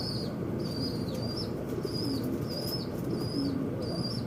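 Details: Birds fighting at a window give a steady series of long high chirps, each ending in a downward slur, about six in four seconds, over a low droning background.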